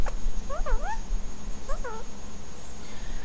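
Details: Pet violet Indian ringneck parakeet, female, angry and jealous while her owner holds a lovebird; two short nasal rising-and-falling squawks, one bent pair near the start and another near the middle, over steady low room hum.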